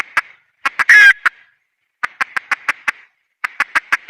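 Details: Junglefowl hen, wild, giving clucks around a loud, harsh squawk, followed by two rhythmic runs of sharp, evenly spaced clucks.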